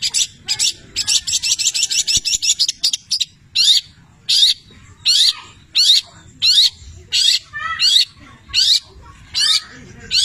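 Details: Long-tailed shrike in full song, laced with mimicked labet and canary phrases. A fast buzzing trill opens, then separate sharp, sweeping chirps come roughly every three-quarters of a second.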